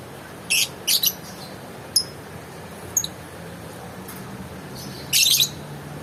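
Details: Harsh, scratchy high calls from a lovebird: two quick rasping bursts, two brief thin chirps spaced about a second apart, then a longer grating screech near the end.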